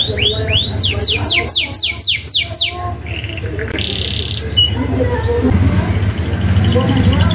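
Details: Canary singing rapid falling whistled sweeps in a quick series for about three seconds, then short buzzy phrases and softer notes. The recording is meant to get young canaries singing, and a low hum runs throughout.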